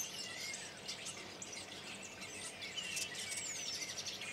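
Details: Thousands of common starlings on spring migration from Spain, arriving in Berry in March 2012; a dense wash of high chattering, clicks and thin sliding whistles, steady throughout.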